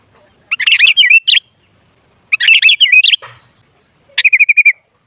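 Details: Sooty-headed bulbul song used as a lure to set other bulbuls singing noisily: two bubbly, warbled phrases of quick chirping notes, then a shorter run of evenly repeated chirps, with quiet pauses between.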